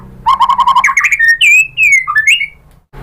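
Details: Song of a white-rumped shama aimed at prompting other shamas to respond, opening with a quick run of low repeated notes and moving into smooth whistled slurs that rise and fall.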